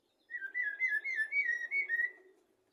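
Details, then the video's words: Common blackbird singing, recorded as a tutor for goldfinches and canaries: a single warbled, fluty whistled phrase of rapidly linked notes lasting about two seconds. "تغريد طائر الشحرور"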